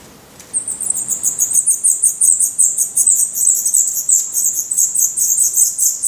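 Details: Black redstart nestlings in a nest in Portugal, eyes open and growing their adult feathers, give a dense run of high, hissing squeaks after a quiet start, pulsing about three times a second in overlapping bursts.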